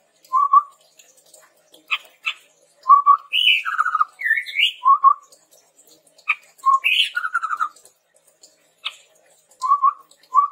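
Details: Chestnut-rumped babbler song for training other birds: short low whistled notes repeated at intervals, mixed with sharp clicks, a rising slurred whistle and brief low trills.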